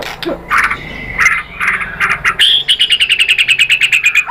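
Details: White-rumped shama song, used to provoke other birds into singing: scratchy notes near the start, then a fast run of about eighteen clipped whistled notes repeated evenly over a steady faint hum.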